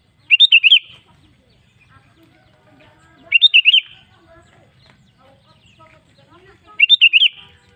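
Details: Sooty-headed bulbul song played as a lure to get caged birds singing: three short bursts of bubbly, warbling notes, each about half a second long, repeated roughly every three seconds with near silence between.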